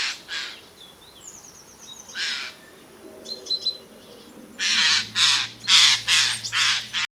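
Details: Eurasian jay in Portuguese woodland giving harsh, rasping alarm screams, a few early and then a burst of five or six in quick succession; faint higher chirps from other birds between.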